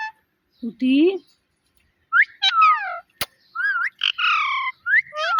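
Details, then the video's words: Pet parrot talking and meowing: a low, rising, meow-like note, then several sharp, bright, down-slurred syllables and a sequence of rapid, wavering calls. "Cute Talking Parrot"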